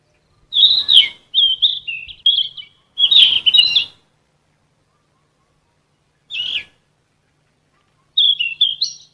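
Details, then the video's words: Repeated golden flycatcher song phrases for captive songbird training: several bright warbling bursts, one brief chip, and a final rising phrase, with clean gaps between. "BURUNG KICAU"SIKATAN EMAS"(KICAU MANIA)Full Gacor"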